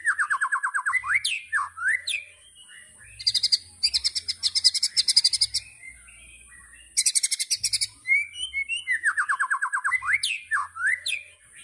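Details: White-rumped shama, murai batu, singing 'tembakan': repeated rapid trills of clipped notes, loud buzzy rattling bursts at about three and seven seconds, with varied whistles between.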